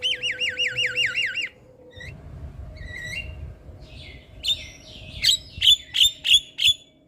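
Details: Javan myna singing actively in the morning, a training and lure recording: a smooth wavering whistle trill comes first, then scattered harsh squawks and a run of five or six sharp, bright notes about every third of a second.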